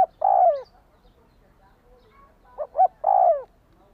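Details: Spotted dove call for exciting a decoy bird: a long mellow falling coo, a pause, then two short stabbing coos leading into another drawn-out, downward-curving note.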